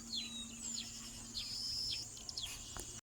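Weavers giving a quick series of high, thin chirps and short down-slurred squeaks, over a steady high insect whine and a faint low hum.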